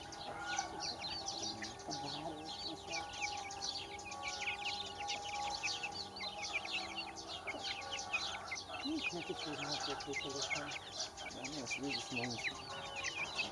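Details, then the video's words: Crowded chorus of baby chickens chirping, countless bright, quick peeps packed densely throughout, with a few soft lower clucks near the end. "Baby Chickens Chirping"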